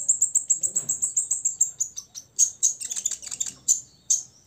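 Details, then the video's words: Caged olive-backed sunbird, six years old, singing to rile rivals: a long fast series of sharp, very high ticking notes, about five a second, breaking into looser, varied chips and two spaced final notes. "KONIN DACOK UMUR 6 TAHUN " kolibri ninja ngobra 100% bikin lawan EMOSI ....!!!"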